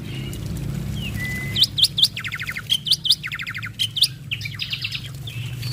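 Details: Male black-winged starling singing as a master recording meant to make lazy starlings start singing: sharp upward-hooked whistles in small clusters alternating with rattling buzzy bursts and a few drawn-out flat whistles, over steady low hum.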